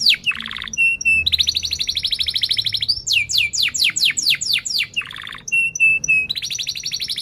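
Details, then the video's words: Vigorous canary song with rolls and chirps, used to prompt and teach other canaries: buzzy bursts, clear double whistles, long rapid rolls and a run of loud falling whistles, repeating the same sequence. "Kenari Gacor Cuit cuit NgeroL TAJAM | untuk Pancingan kenari Paud belajar Bunyi & kenari MACET BUNYI"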